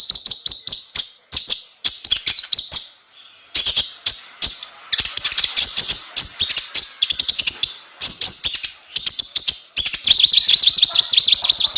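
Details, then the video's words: Kolibri ninja (konin) in full gacor song: continuous shrill high trills and twittering runs, briefly broken around the third second, accompanied by dense rapid clicking like a rattle. "suara burung konin gacor"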